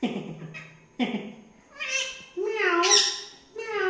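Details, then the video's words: A talking rose-ringed (Indian ringneck) parakeet speaks in short, harsh, nasal phrases, one sounding like a meow, with bright rising squawky notes toward the end. "Indian Ring Neck Parrot mithu Talking Parrot Natural Sounds/Voices"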